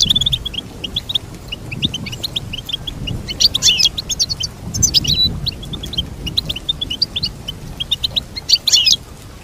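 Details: Goldfinch song meant as a lesson for a pet bird: continuous quick high chirps and twitters, with clusters of sharper, buzzier notes recurring every few seconds.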